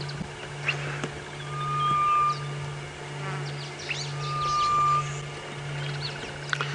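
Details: Wild grey-headed bush shrike heard on an early-morning safari drive, October 2016, giving two drawn-out, clear, level whistles about three seconds apart, with a steady vehicle drone and scattered chirps of many other birds around.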